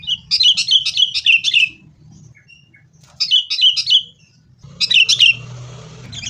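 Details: Sooty-headed bulbul, fighting, used as a lure so caged bulbuls sing: three separate bursts of fast, rollicking chattered notes with quiet gaps between, and a soft low rumble underneath.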